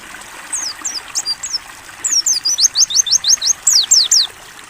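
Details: Mountain white-eye (pleci) singing a clear ngalas training song: softer high chirps build into a fast, even series of loud falling whistles, about three notes per second, over faint flowing water.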